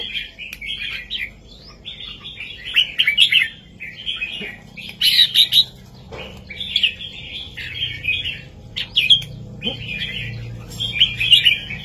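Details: A red-whiskered bulbul delivers strong, clear southern master-song phrases for teaching young birds, about eight short warbled bursts with gaps between them and a faint low hum underneath.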